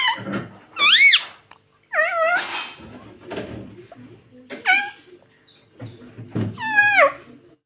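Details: Harsh, screechy calls from a pet rose-ringed parakeet, arching up and down in pitch, spaced by chattering and bumping sounds, ending with a long wavering shriek.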